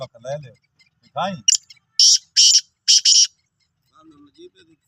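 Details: Sindhi black francolin (kala teetar) calling, recorded 16 March 2023: a set of four harsh, buzzy, grating bursts in quick succession, preceded by a man speaking and followed by faint low sounds.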